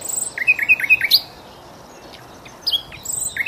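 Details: A common nightingale singing at Cowpen Bewley gives a quick run of about five repeated, slurred whistles, adds a thin high note, pauses, then starts a new varied phrase.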